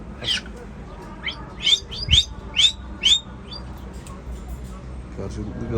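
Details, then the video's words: Pet sulphur-crested cockatoo, said to dislike men, utters a run of about seven sharp, rising chirps, some close together, over faint room noise, with a person's Turkish greetings just before. "İLGİNÇ KONUŞAN PAPAĞANLAR SÜLFÜR KAKADU ÜÇ ADET ÜÇÜDE KONUŞUYOR"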